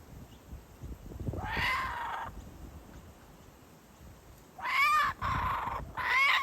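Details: Adult male kookaburra holding food and making his chick wait before feeding; two short bouts of harsh, rasping chuckles separated by a long quiet pause, the second bout louder and more broken.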